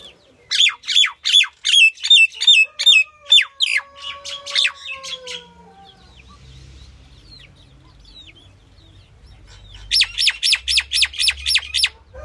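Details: Female common myna (Indian myna) calling: a rapid series of sharp, ringing notes, a drawn-out whistle, a quiet pause, then another fast burst of clipped notes.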